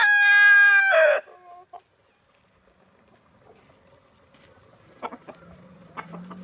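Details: Rooster in the snow ends a loud, ringing crow with a falling tail, followed by near silence and a few faint clucks and rustles.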